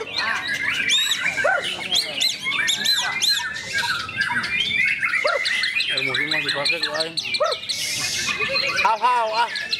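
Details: White-rumped shama singing: a dense stream of rapid whistled notes in arching and falling slurs, some harsh squawky phrases, overlapping birdsong throughout and faint human voices in the background.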